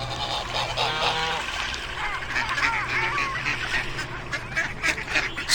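Swans give nasal, trumpeting honks, several overlapping in quick irregular bursts, over a steady low hum and background noise.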